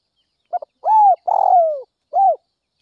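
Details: Spotted dove from Northwest Vietnam calling in the early morning, an energetic decoy-luring call: a short stuttered note, then a long arched coo, a rough downslurred coo, and a final arched coo, in a clean, quiet setting.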